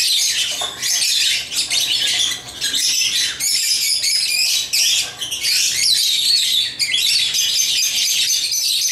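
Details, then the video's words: African lovebirds playing with toys produce steady, piercing chirps and scratchy squawks, a dense high chatter with brief dips. "Love birds chirping & playing toys"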